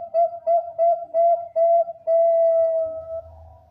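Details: Bangkok-type zebra dove with a champion voice, singing to lure other zebra doves: five short, rounded, whistled coos at a quick, slightly uneven pace, then one long level note held over a second, ending with a faint low rumble.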